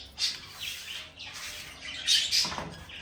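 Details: Lovebird chirping in a few soft, high, scratchy bursts separated by short quiet gaps, with two brighter chirps close together toward the end.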